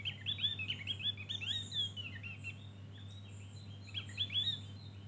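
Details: Javan grey-throated white-eye singing in the ngeriwik style, a full filler song: rapid, high, chattering twitters with quick rising and falling notes in dense bursts, pausing briefly midway, over a steady low hum.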